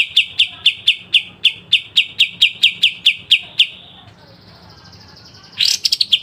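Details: Sharp 'besetan' song of a pied triller (kapas tembak), recorded for training songbirds: a steady run of about fifteen rapid, piercing notes, a quiet pause, then a new phrase opening with a descending sweep.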